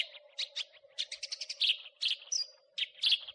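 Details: House sparrow in a songbird training recording of crecetan-style chattering: bursts of sharp, high chirps, some doubled, repeated irregularly at about 85 per minute over a steady low electronic hum.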